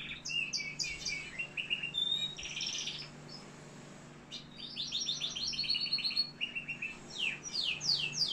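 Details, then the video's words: Algerian canary song of varied high phrases: quick descending chirp series, a bright buzzy burst, a brief pause, then rapid rising and falling trills and sharp downward-sweeping notes, with low background hum. "كناري صوة جميل"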